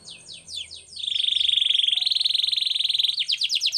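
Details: Canary singing a training song: a few quick descending sweeps lead into a long, loud, even buzzy trill that ends in rapid rising-falling notes, with faint low background hum.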